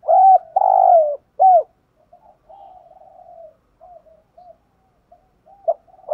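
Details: Decoy spotted dove calling to provoke wild birds: a loud coo phrase of a short note, a long throaty note and a falling coo, followed by several seconds of faint, softer cooing notes.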